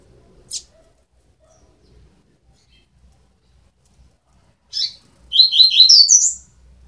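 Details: Twelve-day-old double-collared seedeater nestlings give a thin, high chip, then a sudden burst of rapid, squeaky notes lasting about a second, in an otherwise quiet room.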